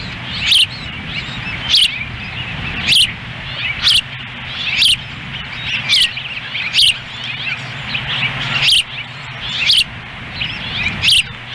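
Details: At a Montana ranch nest in Lolo on June 10, 2017, the female osprey feeds in the wind while the male stands by. Clear, high chirps repeat steadily, about ten in a row, over a low wind hum.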